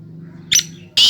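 A Black francolin gives two harsh, grating high notes about half a second apart, the second cut short, over a faint low hum.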